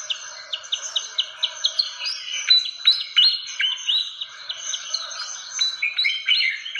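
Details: Fantail lure recording from Indonesia: opens with an evenly spaced run of short chirps, about five per second, then breaks into a jumble of rising whistled notes.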